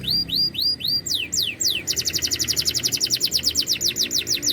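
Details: Canary in loud, hard-edged singing style called "cadas": a few slow arching whistles, then steep falling sweeps, then a long fast trill of repeated notes, with faint low background noise.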